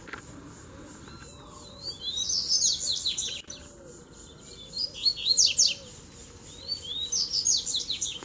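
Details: Double-collared seedeater (coleiro) song in a duel, with three birds coming in to fight together. Three separate bursts of fast, scratchy, sliding high notes about two seconds apart, over a faint low whistle and background hiss.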